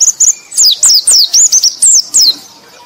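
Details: Brief burst of white-eye song meant as a lure for other white-eyes: about nine high, clear whistled notes, each curving upward then dropping sharply, delivered in quick succession.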